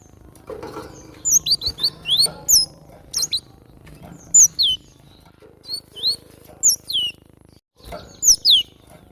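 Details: Very active wild cinereous tit: scattered high, clear whistled notes sliding down in pitch, given singly and in pairs, over faint low background rustling.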